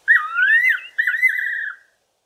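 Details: Fiery-necked nightjar (Caprimulgus pectoralis) singing from a garden tree in the evening: two clear, mellow whistled phrases, the first rising, the second quavering and falling away at the end. No other sounds.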